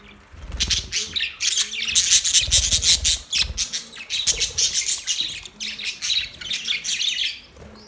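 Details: Budgies chattering almost continuously: dense, high, rapid scratchy chirps and warbles pouring out for several seconds, with faint low rumbling underneath.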